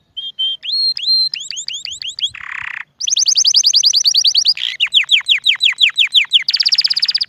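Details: Canary song offered for teaching young birds and stirring males and females to mate: rapid repeated whistled trills at varying pitches, upslurred notes, a buzzy rolled section, then fast even trills of about a dozen notes each.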